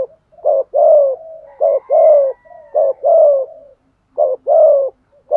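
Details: Spotted dove delivering the 'gù thúc' coo style of the south: four quick phrases, each a clipped rising note then a long, slightly descending, throaty coo, with a faint thin whistle in the background.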